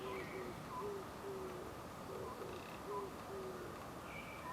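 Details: On a tree branch at the Suchon-ri ancient tombs, Gongju, Korea, an Oriental scops owl hoots on a spring morning, 24 April 2025; paired low mellow notes about every second, with scattered high-pitched chirps from other birds and background hiss.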